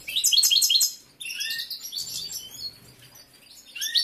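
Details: A competition-bred male European goldfinch in breeding condition sings in captivity: a loud burst of quick repeated chirps, then softer scattered twittering and buzzy notes, rising again at the end.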